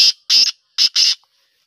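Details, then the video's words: Black francolin calling in winter, recorded 10 November 2023: four loud, harsh, grating bursts in a quick rhythmic phrase, a short note then a longer one, repeated as a pair within about a second. The background is silent. "کالے تیتر کی سردیوں کی خوبصورت آواز"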